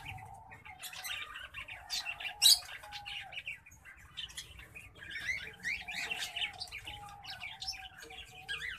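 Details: Hybrid of green singing finch and black-throated canary delivering a rambling warble of high chirps and rapid twitters, one sharp loud note early on, then denser jumbled phrases toward the end, against a faint steady hum.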